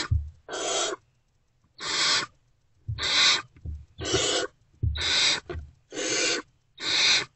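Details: Hungry Great Horned Owl chicks in an owl box greet a returning adult early on 3 March 2024, about 5:31–5:40 am: seven irregular, breathy rasping hisses amid soft bumping sounds.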